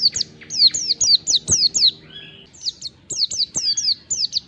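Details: Oriental white-eye, a wild-type 'ngalas' bird, singing as a lure that draws replies from other white-eyes: rapid bursts of very high, thin, downslurred chirps, about two per second, with a brief pause midway and a faint low hum beneath.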